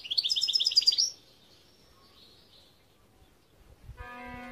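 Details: Short European goldfinch song phrase of rapid, rhythmic high twitters lasting about a second, followed by quiet, then a steady humming tone near the end.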